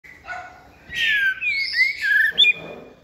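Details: Young caged White-rumped shama singing a varied song in the giong day style while set on a table: loud whistled phrases sliding down and rising again, with a brief sharp upward note near the end.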